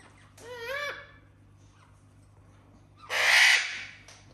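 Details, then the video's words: Parrot kept indoors among other parrots, producing funny noises as they listen: an early wobbling, nasal whine near one second long, a long quiet gap, then a sudden loud rasping screech. "Greta the parrot makes very funny sounds and the rest of the parrots listen."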